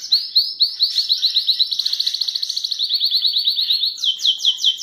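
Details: Belgian canary song labelled Charles II: fast, bright trills of rising-falling whistled notes, the tempo quickening into a rapid rattle mid-phrase, then slowing into longer, louder swooping notes at the end.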